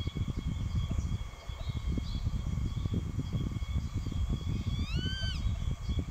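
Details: Young grey-faced buzzard persistently calling toward an adult that later chased it off. One short, ringing whistled call with a quick upward slur and slight fall comes near the end, against constant low-pitched wind noise.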